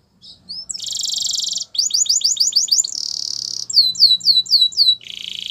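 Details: Canary song for training, alternating tours: a long buzzy trill, a run of rapid repeated notes, another sustained trill, then looping falling whistles and a final lower buzzing roll.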